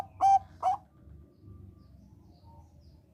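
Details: Bangkok-type zebra dove song, used as a lure to prompt other zebra doves, both crossbred and Bangkok types, to sing: two short, bright cooing notes about half a second apart, then only a low background rumble.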